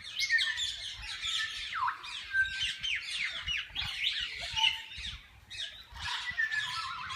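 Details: Assorted parakeets in a walk-in aviary at a parrot park, where visitors feed and hold them; lively jumble of scratchy squawks, chirps and downward-slurred notes from many birds, briefly quieter near the end.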